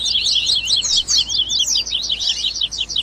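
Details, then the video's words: Double-collared seedeater (coleiro) sings a fast, continuous jumble of high, sharp chirps and twittering notes with brief buzzy trills between phrases; a warm-up song played to stimulate a pet coleiro to sing. "Baderninha de Coleiro Top FAÇA SEU COLEIRO CANTAR"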